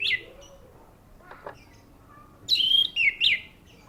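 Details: Orange-headed thrush giving brief song: a short high note at the start, a quiet pause with a faint knock, then three loud, rich, slurred whistled phrases close together.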